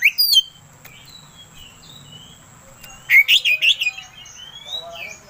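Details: Oriental magpie-robin (kacer) lure song used to provoke another bird into singing: a few sharp high notes, then a pause and a burst of rapid whistled chirps and slurred notes with faint background hum.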